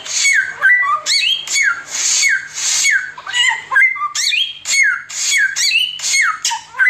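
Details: Oriental magpie-robin in nonstop 'tembakan samyong' song, good for tutoring: repeated hissing bursts each tipped by a falling whistle, interspersed with sharp rising and falling whistled notes.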